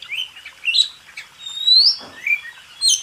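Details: Oriental magpie-robin (kacer) contest master song: a few spaced, clear whistled notes, one long rising slur and softer warbles, slower and sparser in delivery.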